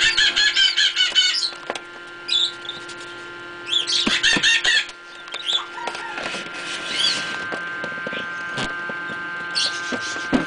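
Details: Pheasant hatchlings in an incubator give fast runs of shrill, buzzy cheeps in two loud bursts, with softer high arched peeps between them and a constant droning machine hum beneath.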